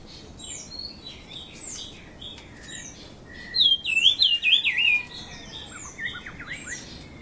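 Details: Brown-cheeked fulvetta at Dongarmatha, Parshuram, Maharashtra, in June: a loud, wavy whistled phrase of quick up-and-down notes near mid-clip, over a busy background of other birds chirping and whistling.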